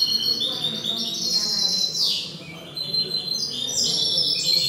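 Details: European goldfinch singing during a Cádiz, Spain indoor contest for goldfinches and hybrids, 21 April 2019; high ringing twitters and a sliding downslur, with murmuring voices and room noise underneath.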